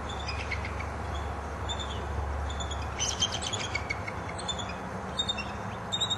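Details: A pair of bald eagles at their nesting area in the Florida Everglades during the breeding season give thin, high chittering notes in short bursts, loudest in the second half, over a steady low rumble like distant traffic or a train.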